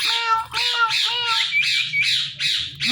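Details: Rose-ringed parakeet, a talking ringneck parrot, chattering in quick raspy syllables with tonal notes, amid repeated Hindi words meaning parrot and meow.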